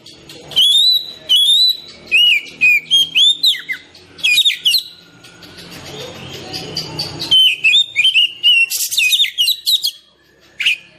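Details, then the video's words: Oriental magpie-robin singing rich, varied whistled phrases in quick bursts, sweeping up and down, with short pauses and a brief quieter spell midway; a natural song played to prompt lazy captive birds to sing and to lure wild ones. "Terapi burung kacer malas bunyi"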